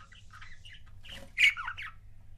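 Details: Pet budgerigar couple: soft warbling murmurs, then one louder harsh squawk followed by a short falling chirp.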